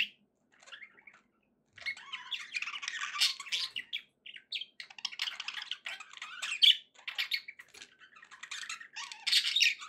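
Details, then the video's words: Happy budgies chattering indoors: softer opening, then sustained twittering and scratchy warbles building into louder squawky phrases near the end. "happy budgie sounds"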